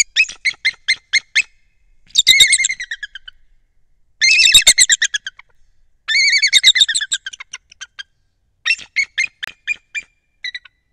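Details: Bald eagles calling from their lakeside pine-top nest in Kisatchie National Forest, Louisiana, on 23 December 2023: quick staccato strings of high clipped notes alternating with harsher, denser squealing runs, several series over eleven seconds.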